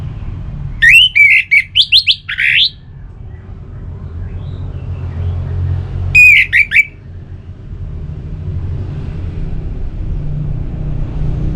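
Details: Kept Orange-headed Thrush whose song serves to set caged birds singing: a quick string of five bright twisting notes, a long pause over low rumble, then a second shorter burst of loud chirps.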